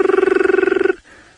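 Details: Crested barbet at sunrise, 2 May 2018, Sabi Sand near Kruger Park, South Africa, many barbets calling amid a flock of starlings: a fast, even, buzzy trill of about twenty pulses a second, held nearly a second on a low steady pitch; Crested Barbet.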